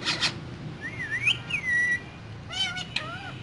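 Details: Two green parrots chatter inside their cage: a raspy note, then a long wavering whistle that rises, dips and rises again, ending with hoarse, rippling squawks that have a falling tail.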